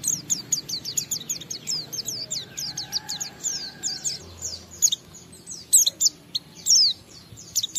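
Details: Oriental white-eye in ngalas and wiksar style, sung as a lure for other white-eyes: quick, thin, high chips run together for several seconds, then sparser louder notes. A faint steady hum lies beneath.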